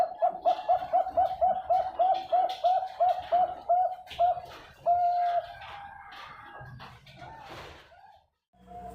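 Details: Farm-bred Bangkok-ring zebra dove in Pasuruan, East Java, Indonesia, delivering about fifteen quick, evenly spaced arched coos over four seconds, then a longer drawn-out note and fainter trailing calls.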